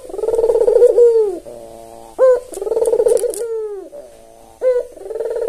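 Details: Albino Barbary dove, white-plumaged with red eyes, a tame, vocal bird used as a lure call, utters two long, rolling, hollow coos, each introduced by a short clipped upward note, with faint clicks in the background.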